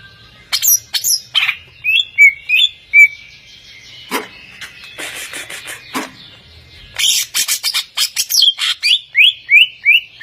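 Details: Song from a champion greater green leafbird: scattered sharp clicks and short whistled slurs, then a dense scratchy burst giving way to a steady series of clear, downward-curling whistles, over a low hum.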